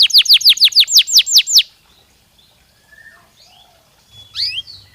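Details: Canary song for readying birds to breed: about ten loud, rapid downward-sweeping notes for under two seconds, then quiet with faint soft chirps and a brief call near the end.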